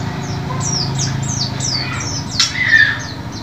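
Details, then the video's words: White-eye, used as a lure recording to get caged birds that have stopped singing to sing again: rapid series of high, thin, descending chirped notes about three per second, with a louder squawky note near the end over a steady low hum. "pancingan pleci macet bunyi"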